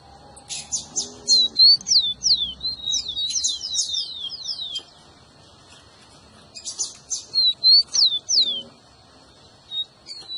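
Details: Rufous-collared sparrow song for stimulating a pet bird: two bursts of dense clear whistles sliding down in pitch, mixed with sharp chips, separated by a quiet pause.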